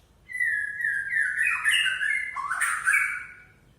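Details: Continuous song of a white-rumped shama, the murai Aceh: a rich, flowing phrase of slurred whistles with rapid warbling ornaments, swelling and falling for about three seconds.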